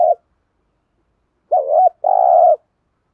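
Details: Spotted dove cooing, known as cu gáy, played to stimulate wild doves. A short hoot is followed by a pause, then a wavering two-part coo and a long, steady, faintly pulsing coo.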